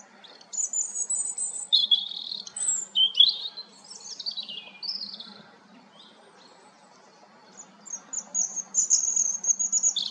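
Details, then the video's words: European robin singing thin, high, liquid phrases of trills and sliding notes, each a second or two long with short pauses between, over a faint low hum. "roodborst zang малиновка robin Rotkehlchen rouge-gorge"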